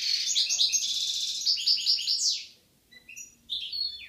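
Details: From a European goldfinch pair in Algeria, 2016: over two seconds of quick rolling twittering song with buzzy, bubbling notes, a short lull, then a few scattered high calls.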